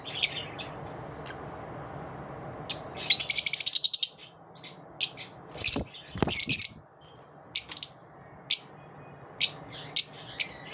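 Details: Pet lovebirds chattering after dawn, with clusters of shrill high chirps and rapid twittering bursts, brief lulls, and a low hum underneath.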